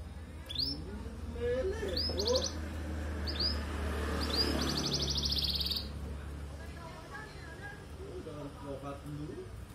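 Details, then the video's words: Canary called a 'kenari loper', said to be in full, lively song: bright high buzzy trills of rapidly repeated notes in bursts over several seconds, with quieter chirps, over low background talk and hum. "kenari gacor,, kenari loper jos gandos"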